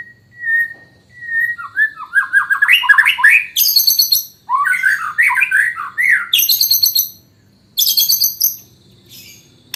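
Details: White-rumped shama in fighting-style song with hanging parrot (srindit) mimicry: a clear steady whistle, then loud rapid cascades of buzzy, tumbling notes alternating with very high shrill chattering bursts, pausing briefly between phrases.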